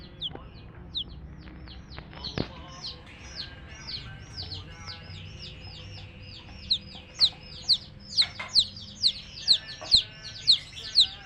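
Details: Baby chicks accompanied by a hen peep softly at first, then louder and more regular in the second half, roughly two sharp falling notes per second, with occasional taps.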